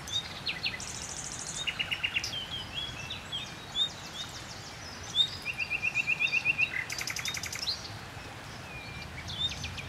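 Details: Common nightingale singing in a tree near water: varied phrases of rapid repeated notes, high clicks and whistles, with one fast rattling trill, over low background hiss.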